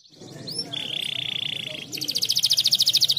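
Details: Canary in vigorous full song, recorded as a therapy track for other canaries: a couple of high rising whistles, then a long steady buzzy note, then a fast, evenly pulsed metallic trill. Faint low background rumble.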